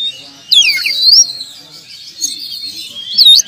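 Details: Oriental magpie-robin, a champion contest bird with past wins, singing a loud falling-and-rising whistle followed by a sustained buzzy, scratchy warble and a final sharp upswept note.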